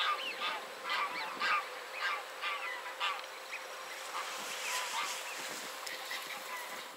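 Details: Caspian gull in Poland, calling after chasing off another gull: a run of loud, nasal, honking calls, roughly two a second, over a background of other gull voices.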